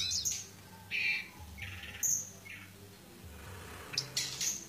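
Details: Pied bushchat in fighting mode, giving short, scattered high chirps and buzzy squawks at irregular intervals, with faint low background hum.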